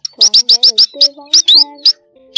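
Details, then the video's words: Black munias, a flock of males and females calling, used as a trapping lure: a rapid series of thin, high chips, about eight in two seconds, over a low steady hum. "Tiếng Chim Sắc Ô , CHIM BÍT RI ĐEN KÊU BẦY TRỐNG MÁI"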